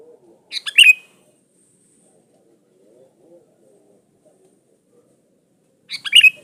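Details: Sooty-headed bulbul singing as a lure: two quick phrases of clipped chirps rising to a sharp whistled note, about five seconds apart, separated by quiet with a faint low murmur.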